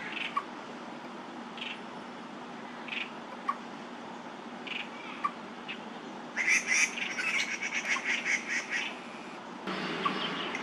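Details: Male Crested Goshawks calling at each other in a territorial quarrel in Daan Forest Park, 30 September 2022; after scattered faint chips, a loud rattling series of clipped kek notes runs for about two seconds, then background noise rises.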